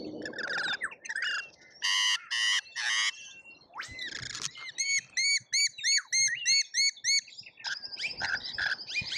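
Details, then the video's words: Lorikeets in a feeding frenzy at an Australian feeder, recorded on a feeder camera: loud raspy bursts, then a quick string of about ten arched, squealing notes, ending in shrill chatter. "Colorful Chaos Lorikeets Feeding Frenzy"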